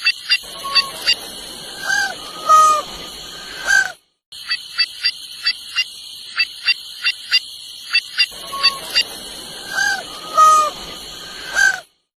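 White-naped jay giving loud, nasal, honking calls in short bursts, mixed with quick clicking notes, over a steady high insect drone.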